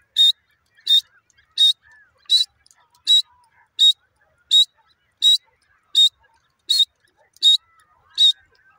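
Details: Grey francolin, a desi teetar, calling in a steady series: sharp, high, harsh notes repeated about every three-quarters of a second, twelve in a row. Faint chirps from other birds sit between them.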